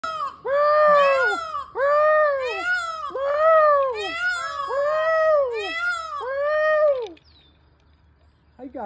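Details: Several peacocks on a hobby farm call to each other, trading loud, nasal, wailing calls that rise and fall, overlapping in quick bursts for about seven seconds before a brief quiet.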